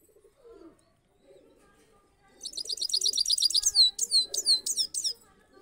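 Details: Trained saffron finch singing in a cage: after quiet low cooing, a fast run of high, sharp downslurred notes repeated about three per second, growing louder, with doves cooing softly beneath.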